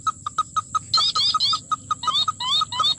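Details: Sintar api (tikusan mata merah) bird, being lured for trapping, gives rapid, evenly spaced mid-pitched notes at about six per second, with bursts of high, buzzy, rising twitter; a steady high whine runs throughout.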